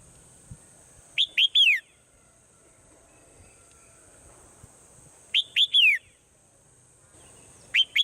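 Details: Swallow's morning calls: quick clusters of three arched chirps, repeated roughly every four seconds, the last cluster cut short, over a steady high hiss.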